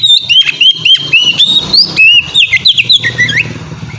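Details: Oriental magpie-robin in ngeplong singing, used to coax other magpie-robins into song: clear upslurred whistles repeated several times a second, with a steady low hum underneath.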